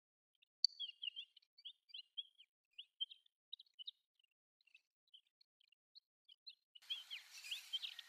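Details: A Desert wheatear, a passage migrant or winter visitor in Sakae, Chiba, Japan, gives a quiet, rambling subsong of short scratchy high chirps and twitters, irregular, ending with a brief burst of rustling noise.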